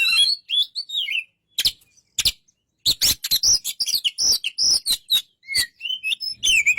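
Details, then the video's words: A white-rumped shama sings a lively medley of high whistles, sharp clicks and rasping notes, starting sparsely, then pouring out a dense run of quick varied phrases. "burung kacer"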